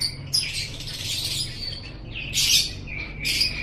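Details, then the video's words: Pet lovebird song from a training recording: scratchy, high squeaky notes early on, a quieter stretch, then two loud shrill rasping bursts about a second apart, with faint background hum. "Masteran Suara Burung Love Bird"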